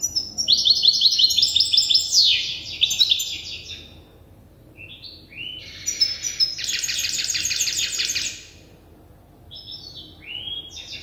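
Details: Young European goldfinch hybrid in its song-learning phase gives fast descending twitters, then rising whistled notes and a loud buzzy rattle lasting about two seconds, before soft chirps resume.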